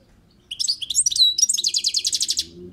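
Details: Goldfinch on a balcony delivering a song phrase: quick tinkling twitters and a clear downward-sliding whistle, followed by a rapid buzzy trill repeated in even pulses, high and bright.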